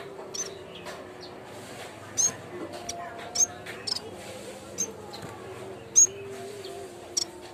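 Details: Lure recording of a yellow-bellied warbler (cikrak bambu) used as a training sound: scattered piercing, high-pitched tsip notes with gaps of one to two seconds, with low droning tones underneath.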